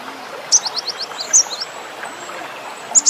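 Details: Cinereous tit song with varied fills: a quick run of short, high, falling notes, then a few scattered high chirps over steady background hiss.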